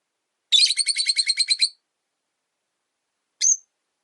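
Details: Rosy-faced lovebirds kept three to a cage by a window, the resident white-faced bird disliking the yellow-faced arrival; a fast, even burst of about a dozen buzzy chirps over one second, then one single chirp.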